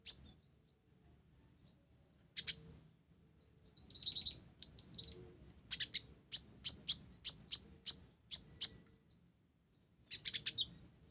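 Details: Olive-backed sunbird (kolibri ninja), blorok, singing busily with sparrow-like isian gereja. Opens with a chip, then dry buzzy chatters and a long series of about ten bright, sharp tweets, ending in another buzzy burst.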